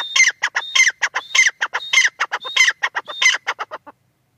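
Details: Female grey francolin calling: a rapid, harsh, repeated series of clucking notes, each phrase opening with a thin high whistle and followed by shorter bursts, about two per second, ending abruptly.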